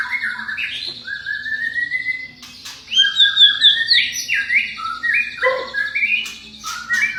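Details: White-rumped shama, a champion songbird, in song meant to draw a reply from untrained or listless shamas: a varied run of clear whistled phrases, some long and level, others quick upward and downward slurs, with a few sharp clicks.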